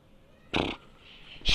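A peafowl gives two loud, harsh, nasal calls about a second apart, the second one cut off.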